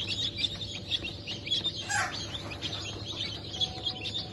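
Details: Newly hatched chickens of Sussex, Sultan, Turken and Australorp breeds, hatched 8 March 2024, many chicks peeping together in high, thin, repeated chirps over a steady low machine hum.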